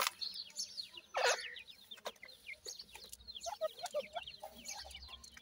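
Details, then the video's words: Francolin chicks calling in a group, thin high chirps and short slurred peeps tumbling over each other, one loud rough burst early on and light knocking sounds behind. "irani teetar chicks ki best awaaz,Dakhni pheasant chicks"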